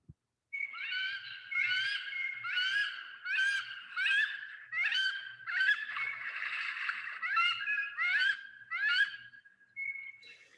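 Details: A female wood duck, much louder than the male, gives loud, rising squealed notes repeated more than once a second, with a blue jay faintly in the background.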